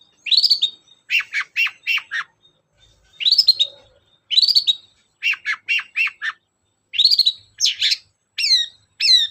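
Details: Long-tailed shrike singing vigorously, used as a lure to get other shrikes singing: high, sharp notes. Rising slurred whistles alternate with quick bursts of three or four clipped chips, ending in fast downslurred squeaks. No other sounds.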